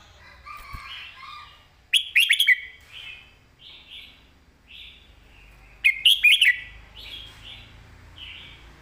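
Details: Southern-style master song from a caged red-whiskered bulbul, sung clearly for training: two loud, bubbly phrases of rapid whistled notes about four seconds apart, with soft repeated warbles between them.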